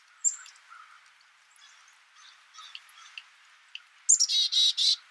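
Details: Black-capped chickadee giving a high opening note followed by four rough, buzzy notes near the end, after several seconds of quiet scattered chips and faint background chirping.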